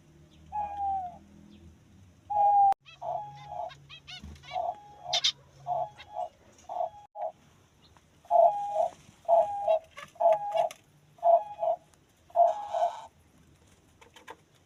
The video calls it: Diamond dove singing